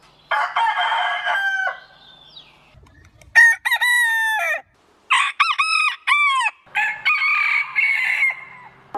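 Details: Roosters crowing in a compilation covering many breeds: a harsh, buzzy sustained crow, then several short, clipped, stuttering crow phrases with sharp harmonics, and a final rough, held crow.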